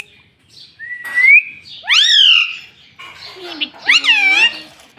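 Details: Talking rose-ringed parakeet, a green ringneck pet bird, said to say "mummy". A short rising whistle comes first, then two loud, rich, harmonic arched calls about two seconds apart, with softer raspy sounds in between.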